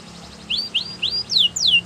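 A Border canary sings five quick, clear slurred whistles, the first rising and the last falling, about four per second over a faint low hum.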